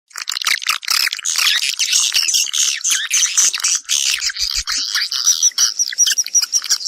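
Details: Swiftlets calling to draw others in to nest, a dense, unbroken chorus of high, scratchy chirps and twitters that overlap throughout, with a few brief thin whistles near the end.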